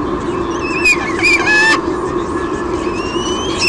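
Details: Sydney Olympic Park nest camera, Australia, 23 June 2016: the female White-bellied sea eagle squeals as the male brings a fish. Several short, thin, downward-bending squeals come in quick succession, fairly faint above a steady drone.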